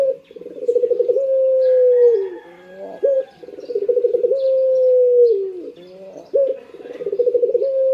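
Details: Morning cooing of a kept Barbary dove: a bubbling, rapidly pulsed phrase that flows into a long, smooth, slightly falling low note, repeated about every three seconds, with faint higher chirps of other birds behind.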